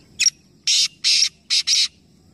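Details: Black francolin from a three-bird calling competition at Nawabshah, Pakistan: one complete phrase of a sharp short note followed by four loud, harsh, buzzing bursts, the last two closely paired.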